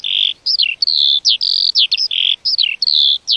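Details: Lark singing crisp, separated notes: level whistles alternating with falling slurred chirps, high and clear, in short bursts with small pauses, quiet surroundings.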